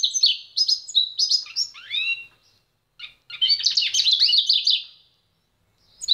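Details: Singing goldfinch-canary hybrid: quick chirps and sliding notes, a short silence, then a dense burst of tumbling warbles, and one last chirp at the close.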